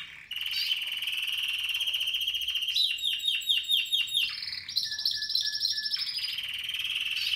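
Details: Spanish Timbrado canary from 2017 sings a long level rolling trill, then a run of pulsed descending notes, then higher and lower clipped trills in sequence.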